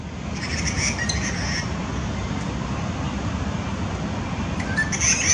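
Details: Grey treepie flock mobbing a male and female hawk in a flame tree at a hunting ground on 21 February 2018; brief harsh chattering calls early and again at the end, over loud steady background noise.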